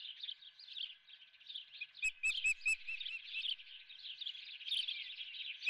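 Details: Osprey at the Dunrovin nest with a live golden fish for breakfast; rapid high chirping calls run nonstop, a few sharp clicks or knocks near the middle.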